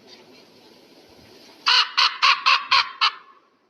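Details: Eagle calling: after a quiet stretch, a burst of six harsh, even, clipped notes in quick succession, about four per second, then silence.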